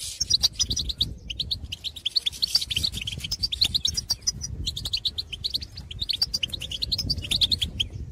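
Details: European goldfinches in open field, lively bursts of tinkling, twittering notes and trills, occasionally pausing, over faint low background noise.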